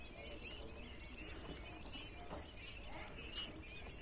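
Newly hatched quail chicks give thin, very high peeps, three clear ones spaced under a second apart, over a faint low hum.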